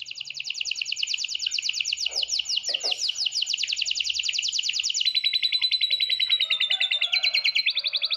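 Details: High, dense songbird trill from a masteran training recording in tembakan style, rapid repeated notes for five seconds, then shifting to clearer whistled phrases at a slightly different pitch.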